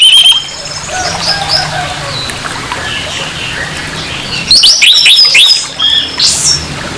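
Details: Orange-headed thrush giving a harsh song used as a lure to provoke aggression in another orange-headed thrush: after faint, scattered high chirps, a loud burst of rapid, scratchy, warbled notes comes near the end, over steady background hiss.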